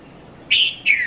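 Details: Dawn call of a red-vented bulbul at Mount Lavinia, Sri Lanka, filmed on a Nikon Coolpix P510: a quick, loud pair of chirped notes, the second falling away in pitch.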